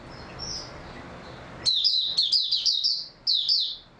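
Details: After a faint distant note, an oriental white-eye, recorded 3 March 2022 following a good sleep, breaks into a loud run of rapid, warbled high chirps, pauses briefly, then adds another short phrase.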